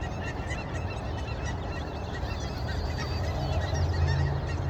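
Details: Canada geese making noise at sunrise: rapid, tangled honking from a crowd of birds, growing slightly louder toward the end, over heavy low-pitched background noise.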